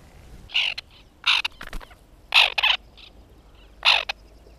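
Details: White-winged terns at a nesting colony, recorded in 2021: four loud, harsh, rasping bursts, each under half a second and spaced about a second apart, with a few short clicks between them over quiet background.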